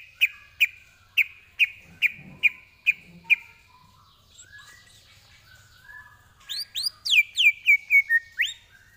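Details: Greater green leafbird tutor song for training, opening with seven evenly spaced sharp chip notes, then quiet warbling and a final burst of loud upswept whistles.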